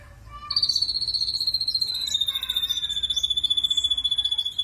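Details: Rough 'tembakan kasar' song of an ashy drongo: one long, rattling high trill of fast regular pulses, starting slightly higher and sliding down a little over four seconds, with faint scratchy notes above.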